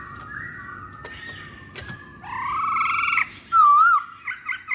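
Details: Lure recording of a masked laughingthrush, known locally as poksay hongkong: level whistles, a rising harsh buzzy phrase, then a loud pure wavering whistle and short choppy notes.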